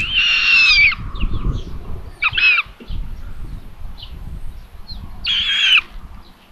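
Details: Common buzzards at a solar-powered live nest camera in Tiszalök, Hungary, on 27 May at 12:32, as the mother brings lunch to the third chick: three loud, high mewing squeals, slurred and slightly descending, with soft rustling and faint chirps between.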